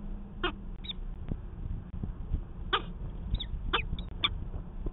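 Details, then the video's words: Peregrine falcon on a nest-camera recording from Manchester, New Hampshire, 19 February 2020, during a nest 'conference'. A few scattered harsh, scratchy calls, some with a slurred ending, sound through heavy low rumbling noise. "Peregrine Falcon - Conference with no angry Mom"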